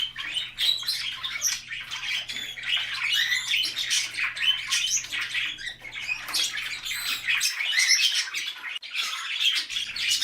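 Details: Budgerigars indoors meeting larger parrots, a male Australian king parrot and a superb parrot: dense, continuous warbled squeaks, clicks and scratchy chirps, other small parrots chattering alongside, and a low steady hum.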